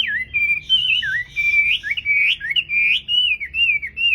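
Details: A tame Chinese hwamei singing at dawn in a song contest delivers an unbroken, loud, fluid warble of bending, slurred whistles, rising and falling, with brief breaths between phrases.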